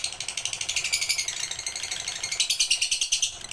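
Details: Lovebird full pigter song used for bird training: bursts of harsh, high, ratcheting chirps that weaken midway, then return loudly in a dense run.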